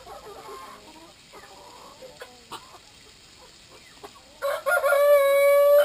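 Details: Brahma chickens at drinking time, with soft clucking and murmurs before a loud rooster crow bursts in near the end, its harmonic tone held steady for over a second.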